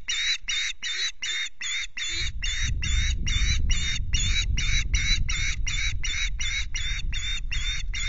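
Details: Osprey calling at the Loch Garten nest in Scotland, 26 May: steady, rapid run of sharp, high cheeps, roughly two or three a second and evenly repeated, over a background of low wind rumble.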